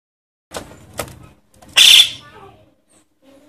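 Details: Javan myna chick calling, used to lure adult birds: one loud harsh rasping burst near the middle, with a couple of fainter hoarse notes before it and a short rasp at the end.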